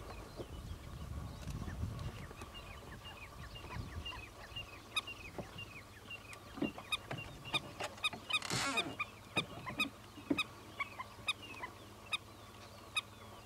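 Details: Indian Skimmer on the Chambal River, northern India: sharp, nasal yapping notes, clustered early and then spaced in a loose series. A low rumble of wind or handling sounds briefly at the start.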